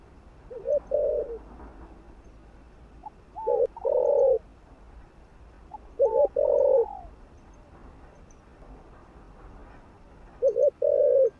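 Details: Stimulating coos of spotted dove: four low phrases, a double note and long coo, mixed with higher slurred notes that overlap some phrases, spaced two to three seconds apart.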